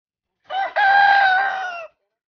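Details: Rooster crowing once, loud and clear: a brief opening note, then a sustained, richly harmonic, slightly falling tone lasting about a second and a half before cutting off.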